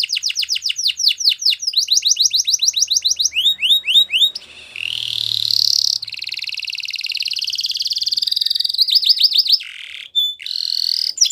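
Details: Yellow canary's morning song: quick downward-sweeping notes in repeated runs, rising slurred whistles, a long buzzy rolling trill, then more sweeping notes and a clear steady whistle.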